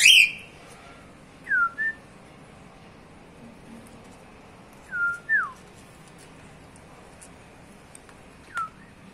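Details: Pet cockatiel giving whistled two-part phrases, a dipping slur then a brief higher note, repeated at intervals after a short sharp noise at the start, then a single clipped whistle at the end.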